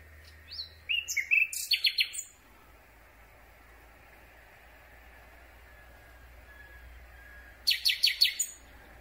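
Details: Nightingale song at night, microphone held very close on a boom among thin branches. A varied opening of chirps leads into a fast repeated stutter. After a long pause, another burst of rapid, evenly spaced notes follows.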